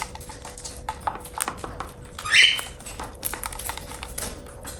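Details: A single loud, rising, slightly raspy chirp from a pet cockatiel during a meal, set against soft continuous pecking and crunching.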